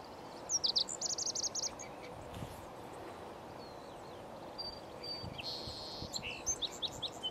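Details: Male Lazuli bunting on a spring morning, May 13, 2020, delivering a short, fast series of high, sharp doubled notes, with faint thin whistles between phrases and a second quick high burst later, over soft outdoor hiss.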